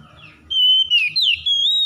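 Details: Oriental magpie-robin (kacer) lure song at morning dew, used to stimulate stressed kept birds to sing: a loud, clear sustained whistle with brief dips and sliding, wavering pitch changes, nearly two seconds long, in a quiet setting.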